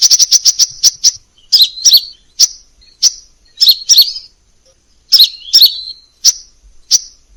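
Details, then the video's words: Crimson sunbird song in a varied tutor recording. A quick burst of high ticking notes opens, followed by spaced, sharp, slurred chirps and twitters that come every half second or so, all very high and bright. "masteran burung sepah raja banyak variasi"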